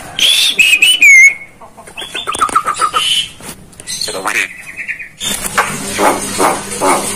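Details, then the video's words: Starling masteran song with bright, looping whistles, then a series of even, clipped notes and buzzy stuttering phrases. A stretch of hissing noise follows, with faint calls inside it. "masteran jalak paling di cari saat ini"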